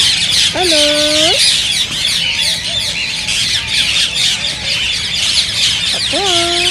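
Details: Green rose-ringed parakeets in full chorus, a sound said to stimulate singing and mating. Continuous shrill squawking continues throughout. A lower drawn-out tonal call appears twice, each time hooking upward at the end.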